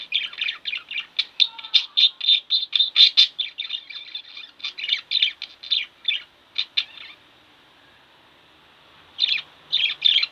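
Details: Domestic budgerigar pair chattering steadily: dense, rapid chirped notes for about seven seconds, then near silence, before a couple of short chirp bursts resume at the close.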